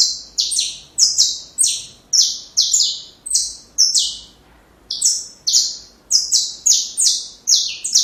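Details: Saffron finch song recorded for teaching young birds: fast high strident notes in a long series, a brief silent gap near the middle, then the rapid sequence resumes.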